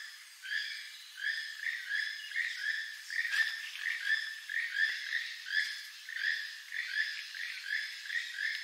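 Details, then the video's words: Steady series of about twelve raspy, frog-like croaks from a keel-billed toucan, evenly spaced under a second apart, with a faint background hiss. "keel billed toucan sound"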